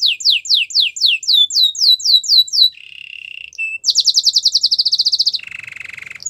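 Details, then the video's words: Gloster canary singing: about ten descending slurred whistles, a low buzzy roll, a rapid high trill of some twenty notes, then a lower buzzy roll. "Gloster canary singing"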